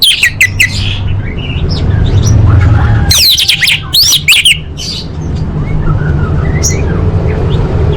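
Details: Orange-headed thrush, full-fill song for competition training: quick high chattering notes at the start, a dense burst of sweeping, looping calls around the third to fourth seconds, then softer scattered whistles over a low hum.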